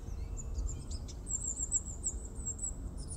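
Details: Carolina Chickadee at Lettuce Lake Park, Tampa, Florida, on January 31, 2023, giving a quick run of very high, thin, slurred notes, repeated a few times over a steady low background rumble.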